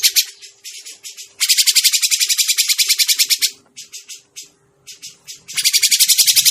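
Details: Grey-cheeked bulbul call used to lure birds into traps: repeated bouts of fast, harsh, buzzing chatter of evenly pulsed notes, separated by short pauses and scattered single scratchy chirps.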